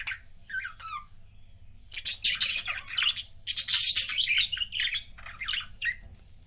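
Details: A pair of budgies chirps: a few soft squeaky notes, then loud harsh buzzy chatter in dense bursts, ending with scattered chirps.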